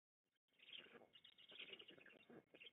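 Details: Black stork at feeding time at a nest near Łódź, Poland, 16 June 2021; harsh, noisy bursts of rasping sound begin after a brief silence and continue in uneven pulses.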